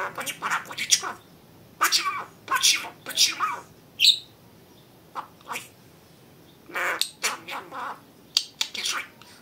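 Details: Domestic budgerigar speaking a long run of imitated words: gritty, buzzy, high-pitched syllables in rapid phrases with brief pauses, one thin whistled note midway.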